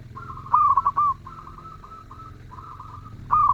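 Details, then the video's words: A melodious zebra dove repeats bubbling coo phrases over a steady low hum, with softer drawn-out coos filling the gaps between the louder bursts. "Perkutut gacor suara merdu"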